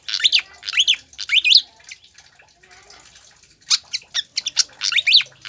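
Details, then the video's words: Pied fantail song meant to stimulate captive birds: repeated upward-sweeping whistled notes in short phrases, a quiet gap, then more chirps and rising whistles. "PANCINGAN DAN MASTERAN SIKATAN KIPAS AGAR CEPAT GACOR"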